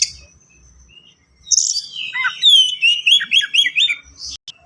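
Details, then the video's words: White-rumped shama kept as a cage bird, singing rapid varied phrases: a high buzzy note, then a clear downward-sliding whistle followed by a quick run of looping, repeated chirps; quiet background hum. "KACER GACOR SPEED RAPAT FULL ISIAN AMPUH UNTUK PANCINGAN BURUNG BAHAN"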